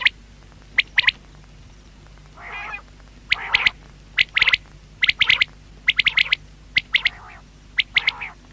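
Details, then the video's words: Common quail (batair) voice: a run of quick three-note high pips in repeated phrases about a second apart, interrupted by a few harsher, raspy, lower notes between the phrases. "Batair sound | Quail voice"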